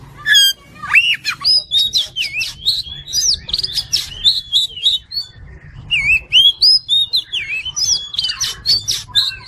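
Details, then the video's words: Oriental magpie-robin (kacer) tutor song for training a fighter-style singer: rapid varied phrases of sharp whistles, upslurred and downslurred notes and chattering bursts, nearly continuous, with a low hum underneath. "MASTERAN KACER JADI FIGHTER"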